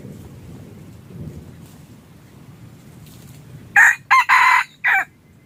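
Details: Red junglefowl decoy crow for luring wild fowl during hunting: after several seconds of soft low rumbling ambience, a sudden loud four-note crow, short, short, long, then a brief falling tail.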